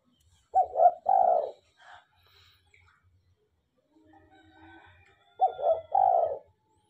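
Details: A tame, frequently singing spotted dove repeats its low, hoarse coo phrase twice, about five seconds apart. Each phrase is a short stuttered double note followed by a longer rolling coo, with a faint rooster crow between them.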